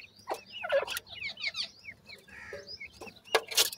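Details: Francolin chicks feeding: a busy run of thin, high, downslurred peeps overlapping one another, with loud scratchy clatter and pecking noises at the start and end.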